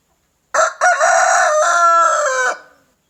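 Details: Rooster crowing in the morning: one loud, harmonic-rich crow of about two seconds, a short opening note then a long sustained, slightly falling tone, clean against a silent background.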